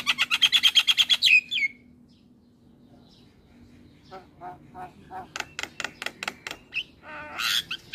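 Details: Male Javan myna song to trigger other mynas: a fast burst of rasping notes ending in a slurred whistle, a silent gap of about two seconds, then a rising series of clipped harsh notes.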